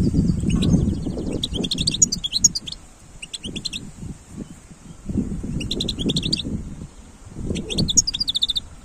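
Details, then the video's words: Wild European goldfinch recorded in 2022, its high twittering bursts coming in quick clusters over loud, rumbling low-pitched background noise. "تغريد حسون خلوي"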